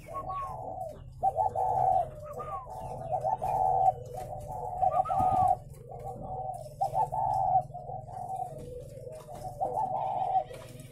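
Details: Many captive spotted doves at a breeding farm in Vân Hòa commune, Ba Vì, northern Vietnam, cooing together: overlapping low, mellow hooted phrases repeated throughout, with a steady low hum underneath.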